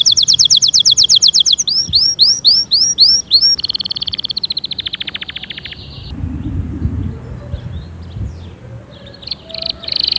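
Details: A ferociously singing canary meant to stimulate others: a rapid bright trill, a run of looped notes, a buzzy rolling tour, then softer scattered notes with low rumbling noise in the second half.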